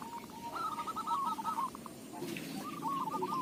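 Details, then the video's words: Zebra dove of a local strain, song used as a lure: two quick, bubbling trills of cooing notes with a gap between them, set against constant background noise. "Perkutut lokal suara cocok buat pancingan"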